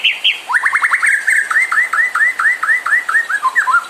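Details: ['Shama song for provoking other birds to sing: two sharp high notes, then rapid upslurred notes and a rolling series of arched whistles repeated several times a second.']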